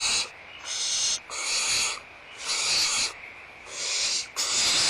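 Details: Barn owls in a nest at feeding time, Audubon Starr Ranch Sanctuary, recorded 16 March 2011 around 8:19 in the morning; harsh, breathy hissing screeches about half a second long, five bursts in quick succession with brief gaps.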